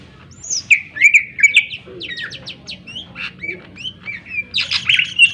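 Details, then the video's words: Lure song from a Greater green leafbird, played to stir other birds to sing and grow agitated: an energetic, jumbled stream of high whistles, harsh squawky bursts and quick chips, with no pauses. "cucak ijo gacor full suara tajam cocok untuk pancingan agar burung gacor dan emosi"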